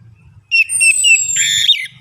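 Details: Orange-headed thrush lure song for birds that are hard to get singing: a short, loud run of clear, high whistles and slurred notes ending in a buzzy, warbling flourish, with faint low knocking underneath.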